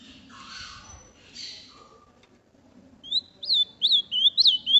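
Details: Caged ultramarine grosbeak in Brazil, kept by a breeder: after faint bird notes and a soft background hum, a clear whistled phrase of sharp rising and falling notes, repeated quickly over the last two seconds.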